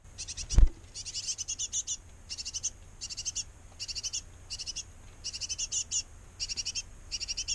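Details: Great tits at a nest box, a pair feeding nestlings. Short hissy, high chattering bursts repeat about every half second, with a single loud knock near the start.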